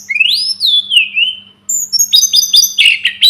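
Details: A long, clear whistle from a Sunda robin rises and then falls slowly. After a short gap comes a burst of quick high chirping notes, over a faint steady hum.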